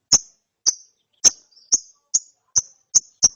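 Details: Lovebird chick after therapy: sharp, very high single chirps, evenly spaced about every half second, eight in a row, with no other sounds.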